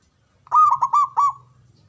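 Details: A male zebra dove (perkutut) utters four quick, mellow, ringing coos in one short tight burst, each note rounded and clipped, over a soft low background hum.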